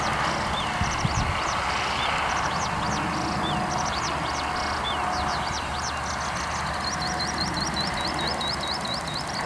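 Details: Skylark singing high in the sky over a farm road, with a continuous run of sharp high chirps, then a quick repeated series of rising whistled notes near the end; constant low traffic rumble from a nearby road throughout.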